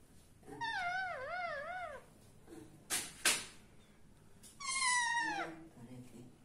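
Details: Two pet parrots playing indoors. A wavering, harmonic-rich voice undulates up and down for about a second and a half, a couple of sharp clicks follow, then a bright call slides steeply downward.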